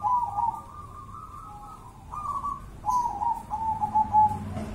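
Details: Zebra dove of the local Javanese type, Java, Indonesia, in song: a run of quavering, rolling coo phrases at one mid pitch, nearly continuous with brief gaps, steady low hum behind.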